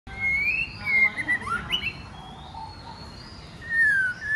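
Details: White-rumped shama song from a female provoking males to sing and fight: clear whistled phrases, rising then falling slides, a burst of quick warbled notes near the middle, then a long descending whistle at the end.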